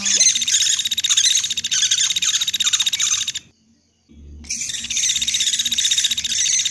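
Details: Woodpecker lure recording, the kind played by trappers to draw in birds: a rapid stream of high, sharp chips repeated several times a second, breaking off into a brief silence before the same dense chattering resumes.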